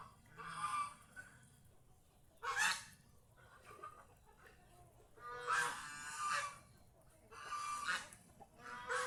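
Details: Domestic geese out in the fields around their owner's house, said to be happy and enjoying nature, give loud, harsh, nasal honks in short bursts, about one burst every two seconds with quieter gaps between.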